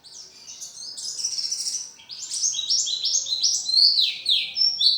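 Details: Oriental white-eye in full, lively song prepared for a songbird contest: high, rapid twittering phrases with quick rising and falling whistled notes, tumbling continuously at a fast pace over quiet background hiss.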